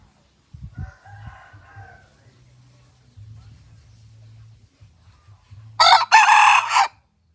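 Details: Pradu-coloured decoy junglefowl rooster in village life: faint low sounds early on, then one loud, harsh, broadband crow lasting about a second near the end.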